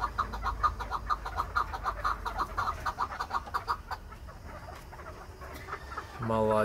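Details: Chukar partridge owned in Krasnoyarsk, coaxed to call, delivers a rapid rhythmic string of mid-pitched clucks for about four seconds, then a pause before a man's voice says 'молодец'.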